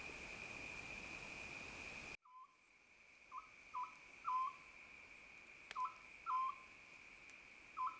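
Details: Oriental scops owl calling at night: short clipped notes, some doubled, repeated irregularly every half second to second, against a steady high cricket trill.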